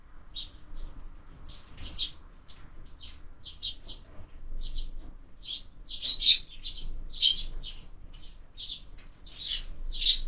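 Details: Sparrows fight at a feeder mounted on a window, where birds are fed year-round, in an almost unbroken run of sharp high chirps, growing louder and denser toward the end.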